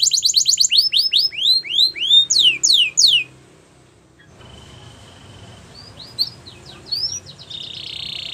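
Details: Yellow Belgian canary singing in the wild: a loud string of downward-sweeping whistled notes repeated about three per second, then near quiet with a few soft distant chirps and a buzzy trill.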